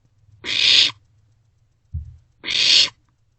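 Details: Nighttime barn owlet begging in a nest box, 27 March 2024, during an unusual shared meal: two loud wheezy hissing screeches two seconds apart, a low knock between them.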